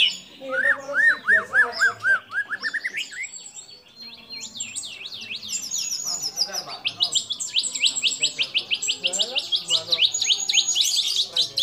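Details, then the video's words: White-rumped shama singing a medley of imitations including kapas tembak, cililin, lovebird and canary; a series of looping rising-and-falling whistles, then climbing sweeps, ending in a long, fast, high chattering trill. "Murai Batu Gacor Isian Kapas Tembak Sambung Cililin Lovebird Kenari Dll"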